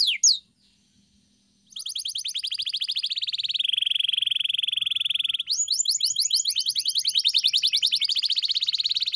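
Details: Canary song used for training pet canaries to sing: a brief high note, a pause, then rapid rolled trills, a long steady buzzy tone, and a second fast, bright trill.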